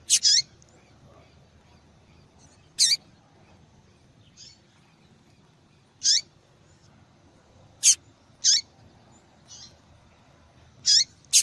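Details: Female yellow-bellied seedeater calling insistently, a call prized by breeders for female-call contests and used to stimulate males to sing; about ten short, sharp, high chirps at uneven gaps, some faint, over quiet low background hiss.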